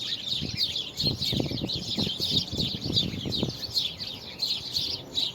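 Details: Birds singing on February 24, 2020, high twittering throughout, joined in the middle by a run of low, knocking thumps that fade before the end.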